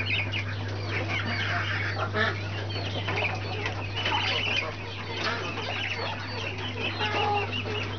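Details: Young Brahma chickens chirping in a group, with dense clusters of thin high peeps and short trills, a slightly quieter stretch midway, and a steady low droning hum beneath.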